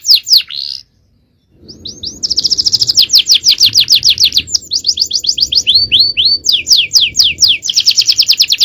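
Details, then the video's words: Canary pouring out 'cengkok jawara' champion song meant for training other birds. A few brief notes and a pause lead into a long, fast trill of high sweeping notes whose pace shifts several times. "Aksi Kenari||Cengkok Jawara||Full Power Canary Action||Cengkok Champion"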